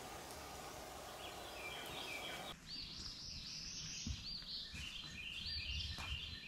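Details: A close Hooded Warbler at Bee Rock Campground in Daniel Boone Forest, Kentucky, sings loud, ringing phrases of high, slurred whistled notes over a steady rushing background of water or wind.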